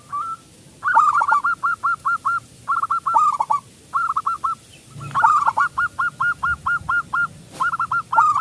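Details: Local zebra dove singing as a lure for other doves: quick trains of short hooked coos in bursts, with gaps between the phrases.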